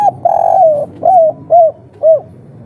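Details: Spotted dove of the local 'kuk 3' type, calling agitatedly as a lure to provoke other doves to answer: a long purring coo, then three short, clear, arched coos spaced about half a second apart, with quiet low background hum.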